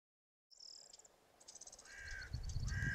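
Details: Greater flamingo, locally called Genti Arrùbbia: after a thin high whistle from another bird, two harsh goose-like honks come near the end over a low rumble.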